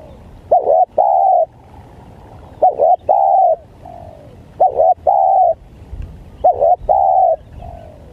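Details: Spotted dove call used to lure wild spotted doves: four phrases about two seconds apart, each a quick doubled coo followed by a longer, steady, mellow coo and a faint trailing note, over a quiet rural background.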